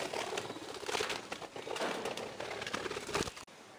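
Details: Budgerigar (Melopsittacus undulatus), chatter.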